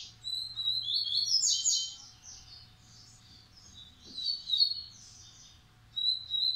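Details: Massai or baiano style coleiro breeding male sings repeated bursts of quick, buzzy chirps separated by short quieter gaps, ending with a renewed high phrase.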